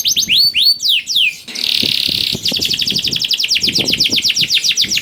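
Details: Canary singing, used to coax reluctant canaries into song: a few high downward-sweeping whistles, then a buzzy sustained trill, then a long fast series of repeated rising-falling notes, loud and continuous.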